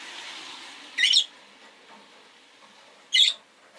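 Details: Pet rosy-faced lovebirds in a cage beside a window: two brief shrill chirps about two seconds apart over a steady hiss of street noise.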